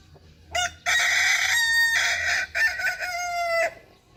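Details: Kukuak Balenggek rooster crowing, a loud harmonic call broken into several segments over about three seconds, with a long sustained middle section and a short final burst.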